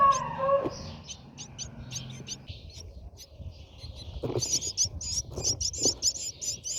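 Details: Brahminy starling at its nest: scattered thin, high squeaky chirps, then a quick run of repeated bright chirps in the final two seconds, with low rustling and soft thuds earlier.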